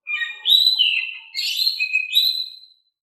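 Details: Oriental magpie-robin song in a calm voice used to lure birds into singing: a flowing sequence of whistled notes, sliding tones and a clear rising-falling final whistle.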